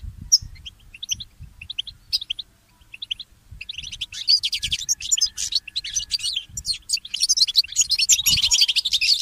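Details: Early-morning goldfinch mule: scattered high chirps for a few seconds, then an unbroken, rapid buzzing twitter and trilling song that grows louder, with faint low thumps.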